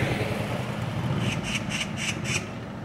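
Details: Oriental magpies chattering while six mob another bird by a street. Five harsh rasping notes repeated about every third of a second, partly masked by loud, low traffic rumble.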